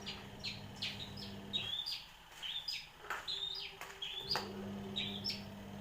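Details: One-year-old long-tailed shrike singing with imitations of bar-winged prinia and sparrow: a rapid string of varied high chirps, slurred whistles and short buzzy notes, with a steady low hum in the background.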